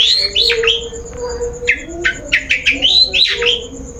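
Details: Long-tailed shrike song played as a lure to prompt another bird to sing: varied slurred and sweeping whistles, some descending, interspersed with short sharp chips, over a faint steady high tone and a low hum.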